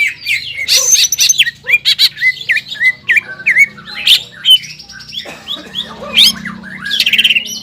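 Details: Caged greater green leafbird in aroused song: sharp whistled slurs and squawks repeated in bursts, a low hum underneath in places, a steady high tone mid-clip.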